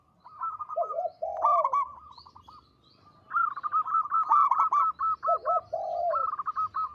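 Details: Zebra dove of a local strain, singing actively with a big, long, melodious voice: quick clipped notes alternate with deeper rolling coos, repeated in bursts with short pauses between.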